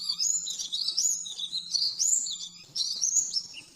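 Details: Oriental white-eye master song for training caged birds, rapid 'nembak' type: flowing, warbled high phrases that rise and dip continuously, with a short break near the end, and a low steady hum in the background.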